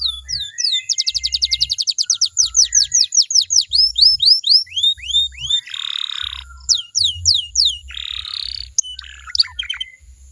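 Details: Singing canary used to get other canaries to reply: a quick rolling trill, then looser falling and rising whistles broken by two harsh buzzy bursts, over regular low thuds.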